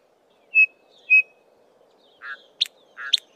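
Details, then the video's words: Chinspot Batises in a small foraging group in tall Acacia trees, the male with a loud three-note descending call. Two clear whistled notes are followed by a pair of rasping, chattering notes with sharp clicks. "Chinspot Batises calling"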